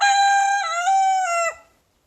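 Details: Morning crow of a young big brown rooster in a backyard, a Silkie rooster chasing him as he calls; loud, rich, nasal harmonic note already in progress, holding level with a slight wobble before falling off sharply and ending in silence.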